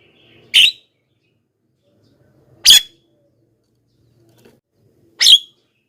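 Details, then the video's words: Javan myna luring call for wild mynas: three clipped, grating notes roughly two and a half seconds apart, otherwise near silence. "suara BURUNG JALAK KEBO,gacor menggelegar,semua jalak kebo auto nyahut"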